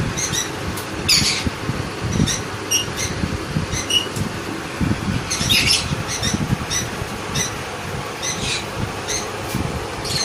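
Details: Hand-fed sun conure chicks give harsh, raspy squawks in short bursts, repeated irregularly every second or so, over a steady low hum and handling noise.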